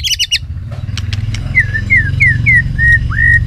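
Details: White-rumped shama singing to train its voice: a few quick clicks, then a run of clear whistled slurred notes, each bending down or up, repeated about twice a second over a steady low hum.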